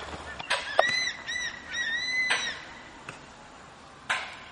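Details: Crested serpent eagle pair singing duets in breeding season near Dandeli and Anshi Tiger Reserve, Karnataka, in December; a quick series of four or five clear whistled, arched notes, then a final longer whistle, with sharp clicks around.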